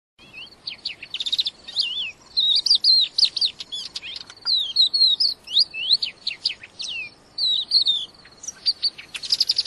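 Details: Wild crested lark singing actively: a lively run of clear whistled and warbled notes, many rising and falling slurs, in quick bursts with short pauses, over a quiet low background hiss.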